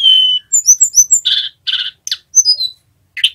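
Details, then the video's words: Male Sunda robin, still learning the ngerol song used as a lure for other birds, gives a long steady whistle, a string of quick high slurred notes, then harsh buzzy phrases and falling whistles. "Tledekan Gunung Jantan Belajar Bunyi NGEROL"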